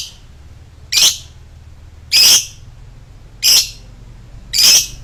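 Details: Lovebird, heard during long choking: four harsh, high, rasping squawks, each brief and evenly spaced about every second, with a faint low hum underneath.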